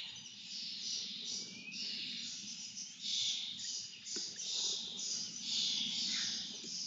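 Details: Lesser kestrels being fed, giving harsh, hissing begging screeches in long overlapping bursts that rise and fall about every second, with a low rumble of background noise underneath.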